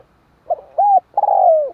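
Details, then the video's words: Close spotted dove giving a stuttered note, a clear arched coo, then a long rough note that slowly glides downward and fades, loud and clear over silence. "Tiếng chim cu"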